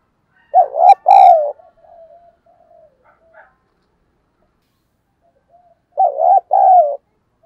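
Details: Spotted dove giving its 'thúc' lure call to bring in wild doves: a low two-part coo, soft trailing murmurs, a long silence, then the same hollow two-part coo repeated about five seconds later.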